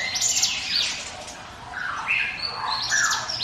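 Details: Mountain prinia (ciblek gunung) in 'ngiwit wit' lure song, this stretch looser: scattered high chirps and short slurred notes with lower squeaky phrases and pauses.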